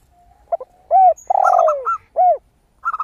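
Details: Zebra dove singing clearly: a short flurry of crisp, high coos in the middle and another at the very end. Around them are deeper, smooth, bowed coos and one long downward-sweeping coo from another dove.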